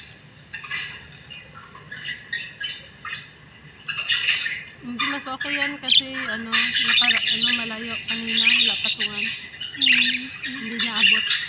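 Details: Budgerigars chatter with rapid, scratchy squawks and chirps while feeding, seemingly jostling over nearly finished food, as a man talks in Filipino in the background.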